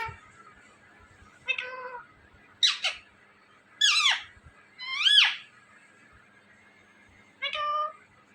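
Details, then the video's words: Pet Indian ringneck parrot mixes nasal talking syllables with sharp, sweeping squawks, six utterances spaced irregularly over eight seconds in a quiet indoor space. "Indian Ringneck Talking Parrot"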